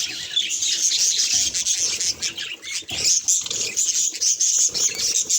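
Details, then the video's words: Mirror-reacting budgerigar producing busy, shrill chatter, with high whistled squeaks and scratchy notes throughout, swelling slightly after three seconds. "Budgie Mirror Reactions"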